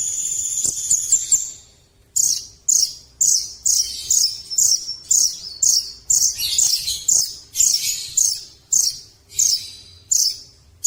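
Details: Velvet-fronted nuthatch, called rambatan paruh merah, in top performing form: a high trill followed by a long run of short, very high, sharp chattering bursts, about two each second.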